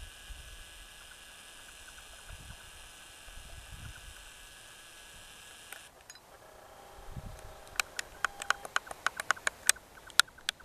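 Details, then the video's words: Red-necked nightjar calling on the Costa Blanca, Spain: a rapid series of hollow, knocking kyok notes, about three to five per second, like a laser blaster, after several seconds of steady hiss. "Red-necked nightjar"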